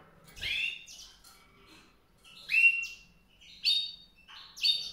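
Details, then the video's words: High, sweet chirps and short rising sweeps from a white-rumped seedeater, delivered in separate bursts about a second apart, with little background noise. "song canário-de-sobrebranco, Weißbürzelgirlitz, Edelzanger, kanárik sivý, zvonohlík šedý, greysinger"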